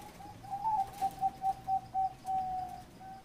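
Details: Zebra dove in a 'ร้องตับ' song bout: a clear series of about seven short, evenly spaced, mellow coos at one pitch, ending in a longer drawn-out note and a final brief coo. Low hum underneath.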